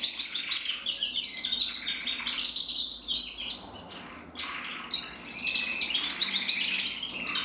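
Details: Male red mosaic agate canary, a cock from a German canary breeding, singing continuous bright high-pitched song: rapid trills, whistled notes and rolling tours around 3-6k, with short clicks and pauses; some faint low room noise beneath.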